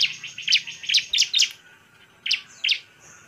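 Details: Bar-winged prinia singing vigorously as a lure to agitate other prinias: quick series of high, sharp chirping notes, then two more after a pause, with a thin high tone between.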